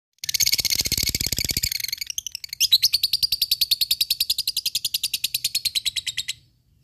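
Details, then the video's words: Lovebird giving its ngekek song, used to provoke rivals and train fighting birds: a dense rapid chatter of buzzy notes that settles into a long, even, fast trill of sharp repeated notes lasting several seconds. "SUARA LOVEBIRD NGEKEK MEMANCING LAWAN"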